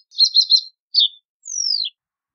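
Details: Reed bunting song phrase: three rapid chirping bursts, a short double note, then a long high whistle gliding steadily downward. Nothing else is audible.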